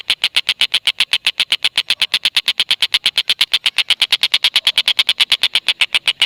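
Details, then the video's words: Tengkek buto chattering nonstop, a sound meant to lure lovebirds into their own 'ngekek': a dense, fast train of identical sharp notes with no gaps at all. "Tengkek Buto Gacor Masteran Burung Lovebird"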